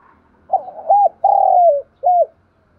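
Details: Call of a spotted dove played as a lure for wild birds, said to work even in wind and rain: a hoarse coo phrase of two short notes, a long falling note, then a final short coo.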